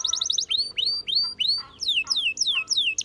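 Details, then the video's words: Canary song for training, made of high notes repeated about three times a second. A quick trill leads into loud arched whistles, then a string of sharply falling whistled notes, with little background noise. "The Best Canary Singing Video Ever!"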